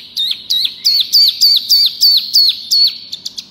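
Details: Loud, vigorous song of a pygmy cupwing: evenly spaced high notes that each drop sharply at the end, about nine in a row roughly every 0.4 seconds, followed by a few faint ticks.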